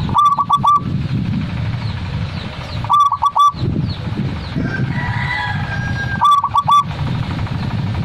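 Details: Zebra dove singing three repeated cooing phrases about three seconds apart, each a quick run of three or four short notes. A faint thin call sits between phrases, over constant low traffic-like rumble.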